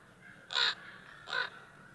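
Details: Several common ravens calling together give two harsh, raspy croaks, each about a quarter-second long and under a second apart, over a faint background hiss.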